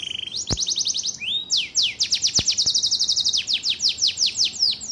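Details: Canary in full song: a short high whistle, quick rattling trills, a rising slur, then a long chain of rapid descending sweeps, with sharp knocks heard twice.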